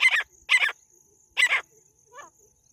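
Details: Female jungle francolin giving loud, harsh, rasping calls in three bursts, each a doubled grating note, followed by one fainter, softer call.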